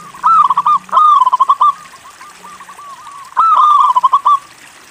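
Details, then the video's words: Local zebra dove singing strongly, a recording meant to draw other doves into song. Bright rolling coo phrases with a stuttering tail of short notes, then quieter notes and a final loud phrase. A soft low drone sits beneath. "MASTERAN PERKUTUT LOKAL GACOR UNTUK MACET BUNYI LANGSUNG NYAUT"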